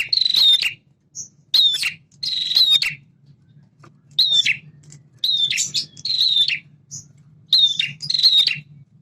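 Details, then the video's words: Lively male prinia song between semi and klawu styles, meant to make captive birds respond: buzzy rattling phrases in irregular pairs with short gaps, an occasional thin whistle, and faint low hum. "PRENJAK JANTAN GACOR burung bahan cepat respon dengan suara ini."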